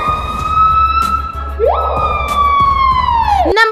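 Screaming Piha call, slowed down: long, pure, siren-like whistles, one sweeping sharply upward, then holding and sliding slowly down, over a low background hum.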